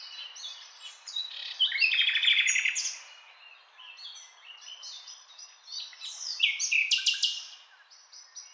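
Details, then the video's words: Nightingale singing: a rich burst of rapid buzzy trills and clicking notes, a quieter stretch of thin whistles, then another loud trilled phrase near the end, with faint distant birdsong throughout. "Nightingale Sound"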